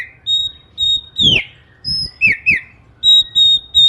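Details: Oriental magpie-robin in morning song that is said to set other magpie-robins singing; steady high whistles broken by quick downward-swooping notes, a varied rich phrase, loud and close.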